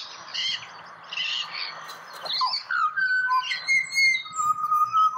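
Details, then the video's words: Australian pied butcherbird giving mellow, held whistles that close a phrase, after a stretch of scratchy chatter from other birds. "Serenaded by Pied Butcherbird"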